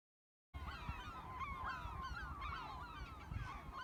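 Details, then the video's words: Gulls calling while sitting by a freshwater reservoir in Rye, Kent: many overlapping, arching and down-slurred cries from a crowd of birds, several per second, over a low rumbling background. "The Sound of Seagulls"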